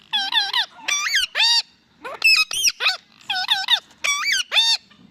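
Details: Talking Indian ringneck parakeet delivering a long run of loud, strongly harmonic, squawky syllables in quick clusters of two or three, with brief gaps between them, sounding almost like chattered words.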